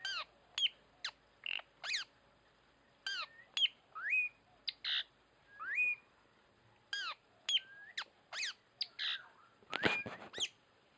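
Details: Tanau calls played to lure birds for trapping, a run of sharp whistled chirps and rising sweeps repeated about every half second, with a harsher burst near the end.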